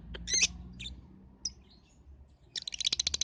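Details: Lovebird lure sound for balibu birds; a few shrill squeaky chirps and thin whistles, a pause, then a quick, accelerating high rattle of repeated notes.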